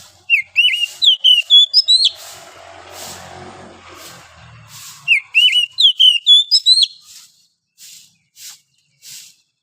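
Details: Wild forest oriental magpie-robin's morning song: two rapid runs of clear, varied whistles with upward and downward slurs, followed by a few faint, spaced notes.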